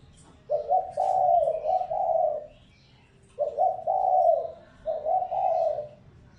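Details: Three low, hollow cooing phrases from a spotted dove used as a lure, each opening with a quick stuttered note and followed by two or three drawn-out, mellow coos, separated by pauses of about a second.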